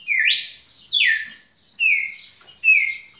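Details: Pet red-cowled cardinal in extended non-stop song: clear whistled notes, one rising sharply, others falling slurs and a high steady whistle, four phrases in quick succession.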